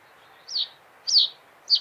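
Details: Song of a common reed bunting, a simple phrase of sharp, downward-slurred chirps spaced roughly 0.6 seconds apart, ending in a doubled note, with soft ambient noise behind.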